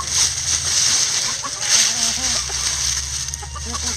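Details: Backyard chickens scratch down piled leaves; a brief run of low soft clucks sits midway, mixed with faint higher peeps, against rustling leaves and a steady hiss.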